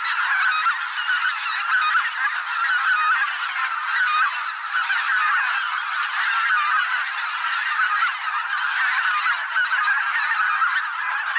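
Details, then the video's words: Thousands of migrating geese in a spring swamp, a mixed flock of greater white-fronted, bean, barnacle and pink-footed geese. A dense, continuous wall of overlapping honks and yelps, with no pauses. "Geese - large flock of migrating birds in spring"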